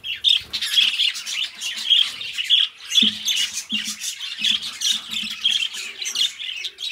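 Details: Budgerigars warbling in a room, a steady stream of buzzy chirps and bright whistled notes pulsing several times a second, with low tapping sounds underneath.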